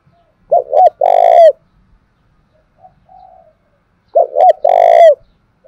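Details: Spotted dove in Đồng Nai giving the thúc gù coo used to provoke and train decoys; two loud, resonant phrases of two short notes and a long pulsing coo, rich in overtones, with a soft coo between.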